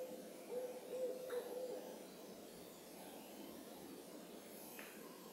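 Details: An owl calling at moonrise from the Carpenter Mountain fire lookout in H.J. Andrews Forest, Oregon, USA: four soft, low hoots in quick even succession, then quiet forest ambience with faint background hiss.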